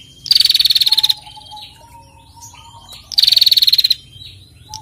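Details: Calling female bar-winged prinia, used to spur other birds into song; two dry, fast-pulsed trills, each near a second long and gently falling in pitch, about three seconds apart, with thin whistled notes from other birds in the background.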